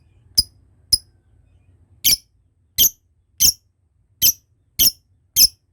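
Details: Lovebird calls from a ngekek training lure: eight sharp, high chirps, some doubled, spaced irregularly about half a second to a second apart, in a quiet room.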